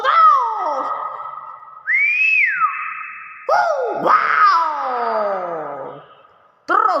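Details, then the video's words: Nias hill myna calling with loud, drawn-out whistles, including falling glides and a rising arched slur separated by brief silences, with human exclamations nearby. "BEO NIAS SUARA ASLI"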